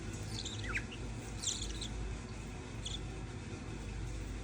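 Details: Budgerigar family of mother, father and chicks giving a few brief, high chirps and scratchy notes over a steady low rumble.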